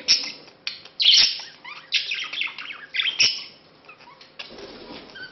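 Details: Budgerigar male courting a female met two months before, leading to mating; bursts of harsh, buzzy warbled chatter mixed with squeaks and clicks, fading to softer twittering near the end.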